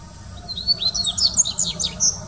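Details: Dubois's seedeater song recorded in São Paulo Botanical Garden, Brazil, 6 1 2019: a fast run of thin, high, chirping and slurred notes, rising and falling, filling about two seconds, with quiet background rumble.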